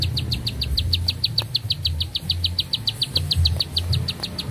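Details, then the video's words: A Bar-winged prinia (ciblek sawah) gives a long, unbroken run of sharp, high notes, about seven a second, steady in pitch, over a low rumbling hum. "Nafas Panjang, Nembak Satu Lagu, Ciblek Sawah Gacor"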